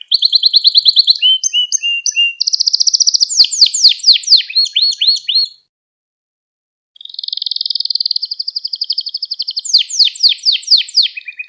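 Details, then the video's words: Gloster canary singing to stir up other canaries and train young birds: rapid repeated high notes, sweeping slurs and dense rattling rolls, a pause of over a second, then a long sustained trill rising into fast descending note series. "Gloster Kanarya Sesi Ve Ötüşü | Kanarya Huylandırma | Kanarya Kızıştırma"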